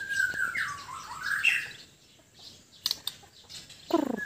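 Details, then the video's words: A White-rumped shama from Sabah, Borneo, sings a rich, fluty phrase that swoops down and back up, then a pause with soft clicks, then a harsh, rapid chattering burst. "Kicauan murai batu"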